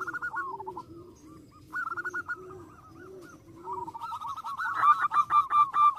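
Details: Zebra dove singing to provoke rival birds: rolling, repeated coo notes with a second, lower cooing bird underneath, then louder, faster staccato coos near the end over faint background noise.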